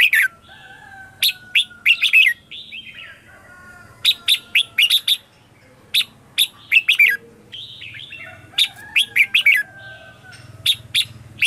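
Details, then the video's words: Red-whiskered bulbul morning song used as a lure to call wild birds: bright clustered whistled phrases of quick rich notes around mid-high pitch, repeated in bursts through the clip, with a faint steady tone and low hum behind. "Luyện chào mào hót sáng - CHÉ GỌI BỔI CĂNG ĐÉT"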